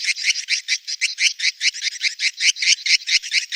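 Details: Swiftlet mating call: rhythmic series of harsh high chirps, about four to five per second, evenly pulsed and steady throughout.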